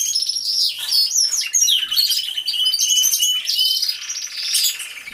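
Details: Many caged canaries singing together in an aviary, recorded as real sound by a hidden camera: dense, overlapping high trills and rolling warbles pour out without pause, bright tinkling notes layered throughout.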